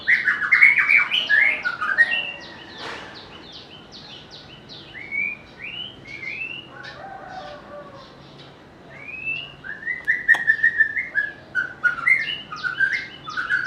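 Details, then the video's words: White-rumped shama singing a rich, varied run of clear whistled phrases, some sliding up and down, broken by short pauses and a few sharp chips. This bird is noted for its melodious voice and its ability to mimic other birds. "เสียงนกกางเขนดงร้องเพราะๆ/ນົກແຕ້ມປູນດົງຮ້ອງມວນໆ/Âm thanh của chim ác là/Burung murai"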